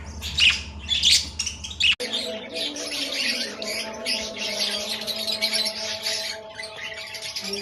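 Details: Pet budgerigar chirping: rapid, high twittering warbles with squeaky chatter, preceded by a brief low hum that cuts off after two seconds, then continuous bright chirps over a steady faint tonal background.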